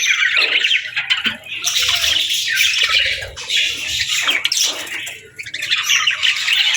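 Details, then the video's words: Budgies with their chicks during feeding and bonding; bursts of scratchy high chirping from several birds, separated by short quieter moments. "Cute Budgies With Cute Chicks 🐦 | Adorable Moments & Chirping Sounds"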